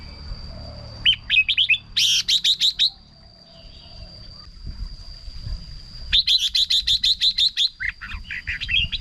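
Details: Red-whiskered bulbul song for exciting birds or luring them: two bursts of rapid, crisp chirps several seconds apart, bright and warbling, with a quieter rumbling background and a steady high hum.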